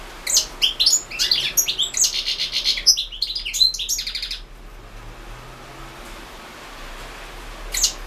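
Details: European goldfinch singing a competition entry for the 2016 World Championship in Goldfinch Song, held over the internet: rapid tinkling, twittering high notes in dense bursts for about four seconds, then near quiet with one last chirp.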